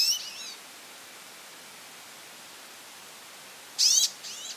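A goldfinch gives short bursts of bright, high twittering notes: one at the start, then a pair near the end after a quiet pause.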